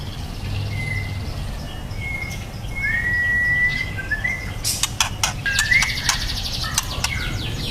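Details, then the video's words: Juvenile white-rumped shama offers soft, thin level whistles that rise into a brighter sweeping note, followed by a burst of rapid clicks and tapping with scattered short chirps; low hum throughout. "Murai batu trotol prospek"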